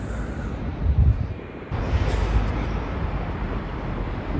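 City street beside a green wall: heavy low traffic rumble and wind noise with a few thumps, and no clear bird or other animal sound.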